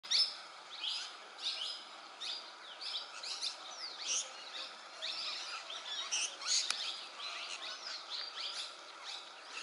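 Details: Plum-headed parakeets in Agar Malwa, India, give shrill, high, overlapping chirps and short squeals in quick bursts, about twice a second, with several birds calling over light background noise.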